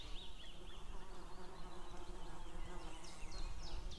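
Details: On 2 May 2016 a female White-tailed eagle calls while a male answers from afar: thin, high yelps in quick runs, fainter at first and then stronger, above a constant low hum.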